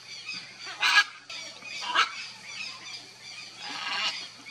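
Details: Nesting pair of red-and-green macaws: two loud, harsh squawks about a second apart, then a longer grating call near the end. A constant high-pitched chorus hums behind them.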